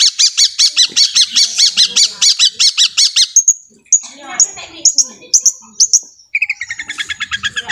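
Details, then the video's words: Long-tailed shrike song meant to make other shrikes sing: fast repeated harsh double notes about five per second, then sharp high chips, ending in a quick rhythmic rattle. "Cendet Pastol gacor ini bisa membuat cendet lain emosi birahi dan gacor seketika"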